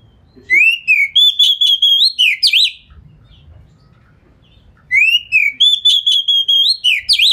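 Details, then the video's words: An Oriental magpie-robin sings a speedy, tight lure song while opening its tail, aimed at getting other magpie-robins to respond; a rising note leads into a train of quick repeated whistles and zigzag flourishes, heard twice with a quiet gap. "Pancingan Kacer Gacor Speed Rapat Buka Ekor! Buat Kacer Lain Auto Nyaut"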